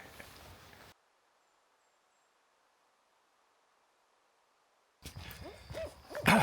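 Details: At least two barred owls calling to each other at dawn in early spring, back in big trees on either side of an old logging road by a wildlife refuge: loud, wavering rising-and-falling hoots after a long hush with faint thin high notes.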